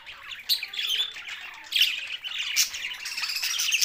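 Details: Budgerigars, Australian parrots, Larkana, Sindh: lively twittering warble with sharp squeaky accents and abrupt loud squawks, several birds calling at once.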